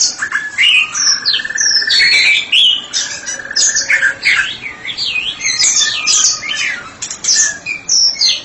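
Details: Ngeplong singing from a white-rumped shama kept as a therapy specialist: a long, varied stream of clear whistles, slurred sweeps and quick trills, with a steady lower whistled tone early on and hardly a pause.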